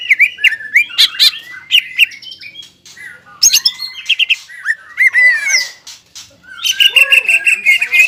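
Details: Aroused captive greater green leafbird delivering jamtrok and ngobra song: bright whistled warbles and slurred downward notes in bursts, broken by short pauses, ending with a steady chattering whistled phrase.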